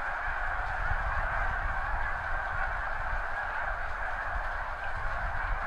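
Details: Mass take-off of wild snow geese from crops near the seaway during spring high tide, spread over hundreds of meters; dense chattering honks from a huge flock with heavy low-frequency rumble throughout.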